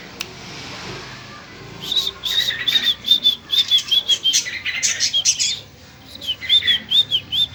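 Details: Young long-tailed shrike singing: after nearly two quiet seconds, a quick run of high, thin whistled notes mixed with harsh chattering bursts, roughly two to three per second, pausing briefly before resuming.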